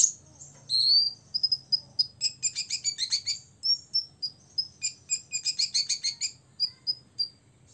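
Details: Six-year-old olive-backed sunbird in full song meant to agitate rivals: a sweeping whistled note opening into rapid trilled chirps and clipped high tweets repeated quickly for several seconds, ending in spaced short notes.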